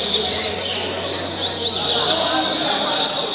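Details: Double-collared seedeater in caribe song style, kept at Mambucaba park in Angra dos Reis; a quick burst of bright, thin, descending whistled notes packed closely together.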